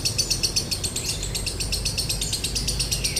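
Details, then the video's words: Lovebird in the 'konslet' song style with a dry tone ('nada kering'), used as a master recording to prompt other lovebirds to sing: rapid, even, buzzy high chattering pulses, about four per second, over low background rumble. "MASTERAN LOVEBIRD KONSLET NADA KERING | PANCINGAN SUARA LOVEBIRD KONSLET"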